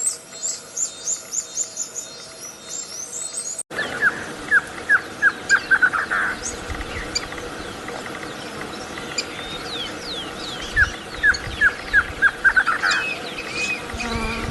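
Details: Bird singing sweetly, recorded 24 May 2020: bursts of quick, clear mid-pitched notes in rapid trilled runs of about ten, twice, preceded by high chirps and with faint other birds behind.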